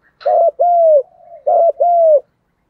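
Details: Spotted dove giving a thúc gù cooing sequence, a strong full-voiced style: four soft low hollow coos in two pairs, each note steady then slightly falling, the whole phrase lasting about two seconds in quiet surroundings.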